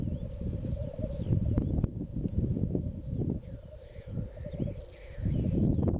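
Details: Lekking black grouse in east Wales, late March: continuous low rolling bubbling chorus under strong wind buffeting, occasional faint higher wheezy notes.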